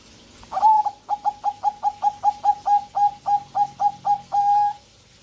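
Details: Zebra dove in breeding condition, a home-kept bird from Indonesia, sings a rhythmic string of roughly fifteen clipped, mellow coos at a steady pace. The string finishes with a drawn-out final coo. The room is otherwise quiet.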